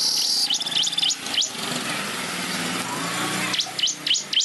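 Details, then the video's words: Weaver singing and flapping its wings; short bursts of quick high V-shaped slurred notes at the start and end, with a noisy rumbling background in between. "Kicau Burung Manyar Gacor Ngepak sayap"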